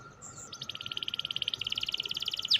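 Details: Rolling 'ngerol' canary song meant to spur idle canaries: a short high whistle, then a long even trill of rapid pulsed notes, brightening into sharper chirps at the end, with a steady background hum.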